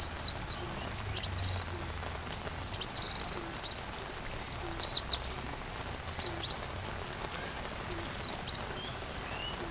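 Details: Sunbird, recorded for teaching a white-rumped shama, delivers a long, busy, very high song of buzzy trills, sweeping whistles and rapid chips in near-continuous flow, with a quiet hiss underneath.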